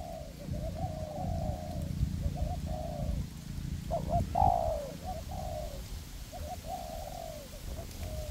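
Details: Spotted dove decoys, a perch bird and a ground bird, cooing in a forest test to attract wild doves to a trap; a run of mellow, slightly rising coos with one louder, sharper burst midway.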